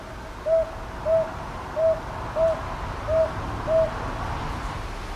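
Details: Northern boobook calling at Ichijoji, Sakyo Ward, Kyoto, Japan, on 22 May 2023, captured with a TASCAM DR-100MKIII recorder: six soft, even mid-pitched hoots in a steady series about two-thirds of a second apart, over a quiet hiss.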